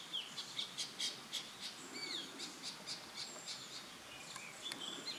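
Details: Ashy drongo in Uttarakhand, India, May 2016, giving a series of short high squawky and whistled notes, some sliding downward, spaced irregularly about every half second over a hissing outdoor background.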